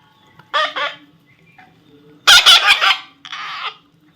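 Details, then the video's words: Baby parrot calling: a short harmonic squawk, then a louder burst of harsh, raspy screeches, and a final buzzy squawk, set against a faint steady hum. "natural funny parrot sound"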